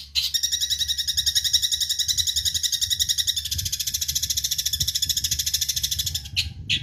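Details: Eurasian tree sparrow, used as songbird training audio, giving a long, fast, ringing trill of tightly repeated bright notes that runs nearly six seconds and ends with a couple of harsher bursts, over low background rumble.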